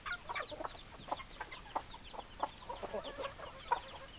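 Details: Hens give short, sharp clucks spaced about half a second apart, with a few brighter accented notes standing out over softer background chatter.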